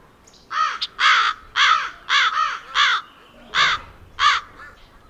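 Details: Wild crows giving a run of seven loud, harsh, hoarse caws, each about half a second long and spaced roughly every half second, the series briefly pausing before the last two.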